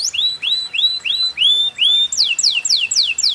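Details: Canary in the balacrad cengkok mewah lure-song style gives six rising, hooked whistles spaced about a third of a second apart, then switches to faster steep downward sweeps.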